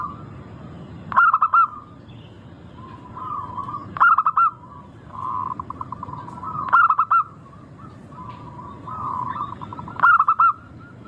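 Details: Zebra dove of the local strain in full song, used to prompt other birds: four ringing phrases of fast coo notes about every three seconds, alternating with soft, even, purring trills.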